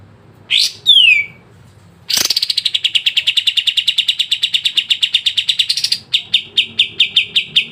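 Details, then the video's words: Sooty-headed bulbul song for prompting lazy caged birds: a loud downslurred whistle, then a long rapid trill of sharp notes that ends in a slower series of separate chips. "PANCINGAN BURUNG KAPAS TEMBAK MALAS BUNYI CEPAT IKUT GACOR"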